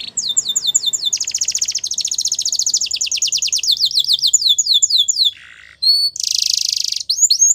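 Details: Powerful canary song meant for training: continuous rapid trills of quick descending notes, a short low nasal buzz and pause, then a loud harsh rasping burst and more trilling.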